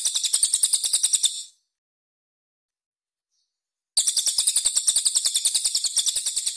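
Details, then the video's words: Cililin gives rough, tight-spaced high bursts ("tembakan kasar jeda rapat"), about three per second, breaking off into a couple of seconds of silence before resuming; used as a master song for training young magpie robins. "TEMBAKAN KASAR JEDA RAPAT CILILIN"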